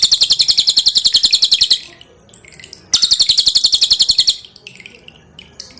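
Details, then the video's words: Loud, tightly packed song of a pin-striped tit-babbler used to train cage birds, water dripping clearly. Two bursts of rapid, high staccato notes, each under two seconds, are separated by a lull of faint scattered chirps. "SUARA BURUNG CILILIN"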